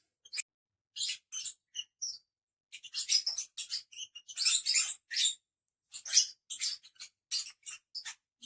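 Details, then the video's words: Five pet lovebirds chattering together in a flock: bursts of shrill, high chirps and squeaky notes in irregular clusters, with short pauses between bursts. "cinque pappagalli inseparabili agaponis. Five Parrots inseparable agaponis."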